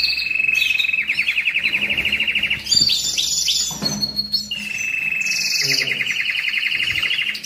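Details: Song of a canary meant to stimulate breeding readiness in males and females during moult and rest: a chain of fast rattling rolls broken by short pauses and quick whistled slurs.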